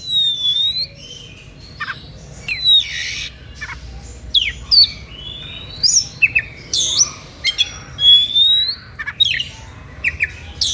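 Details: Oriental magpie-robin delivering an energetic song intended to provoke rivals within earshot to join in: a rich run of clear whistles, sweeping slurs, rising and falling notes and harsh scratchy bursts, phrases following closely for over ten seconds.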